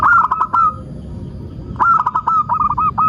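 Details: Local zebra dove song used as a lure to prompt other doves to sing: two bursts of rapid, throaty cooing notes, each phrase opening with a clear whistle-like note and then stuttering into quick repeated coos over steady background hiss.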